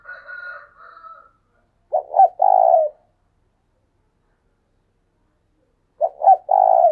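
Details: Decoy spotted dove cooing to provoke other doves: a faint higher note at the start, then two clipped cooing phrases, each of two quick notes followed by a longer, lower drawn coo, separated by about three seconds of silence.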